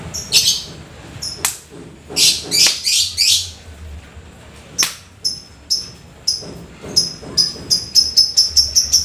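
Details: Lovebird in full song after rain, typing chatter leading to long shrieks: rough squawky bursts, then accelerating high ticking chirps crowding together near the end.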